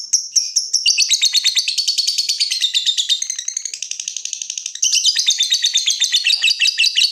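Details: Lovebird in its long trill: an unbroken, fast pulsing chatter of high notes for about seven seconds, shifting slightly in pitch partway through.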